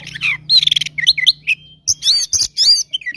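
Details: Oriental magpie-robin in combative song to provoke rivals: buzzy rattling notes, then clear whistled slurs and loud bright phrases separated by short gaps, with a low mechanical hum early on.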